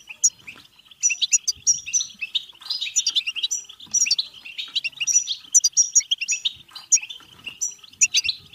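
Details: European goldfinch in full song, used to prompt singing and mating in other goldfinches: lively, scratchy twittering studded with clear, piping high notes repeated in small groups, going on nonstop.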